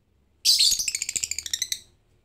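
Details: Lovebird calling without a lure sound, in the ticking 'ngetik' style rather than a full 'ngekek' song: one high, bright trill of about a dozen rapid pulses, fading over roughly a second and a half.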